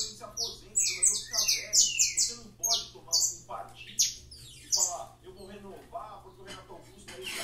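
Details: Saffron finch in full song: a fast, dense run of bright, high, downslurred chirps, several each second, in loud bursts. Portuguese speech plays faintly behind, over a steady low hum.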